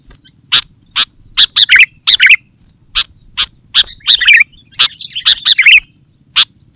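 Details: Sooty-headed bulbul song meant to make other bulbuls respond: spaced sharp chirps with tumbling bubbly phrases between them, busiest in the middle.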